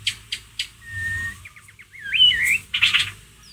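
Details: White-rumped shama ngeriwik, a lure for stirring a pet shama's emotion: a few sharp clicks, then a long flat whistle, a rapid trill and a looping slurred whistle, ending in a burst of harsh notes.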